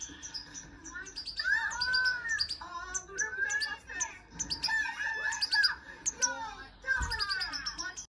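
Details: Hand-tame European goldfinch singing: a rapid, continuous jumble of bright twittering, liquid trills and nasal buzzy notes, sung almost without a break, with brief dips before fresh bursts.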